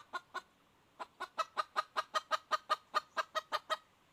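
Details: Red junglefowl hen calling in 2021: two spaced clucks, a pause, then a fast, steady series of about fourteen short nasal clucks, roughly three per second, with no louder notes.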